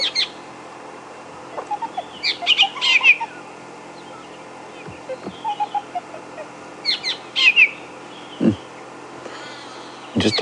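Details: Fork-tailed Drongo at Djuma Game Reserve on a morning safari drive, 28 Feb 2016, giving varied bright, twangy phrases and quick descending trills in irregular bursts, imitating woodland and brown-hooded kingfishers and a francolin, over a soft steady hum.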